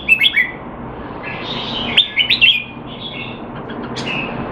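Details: Singapore-kept red-whiskered bulbul in training, not in form, recorded 25 December 2020: brief sets of quick whistled notes, an opening triple then a later burst of bouncing slurs, with pauses and steady background hiss.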